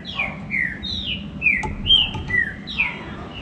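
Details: Green-winged saltator song used to stimulate captive birds: a series of moderately loud, downward-sliding whistles repeated a little over twice per second over steady low background hiss, with a few brief clicks.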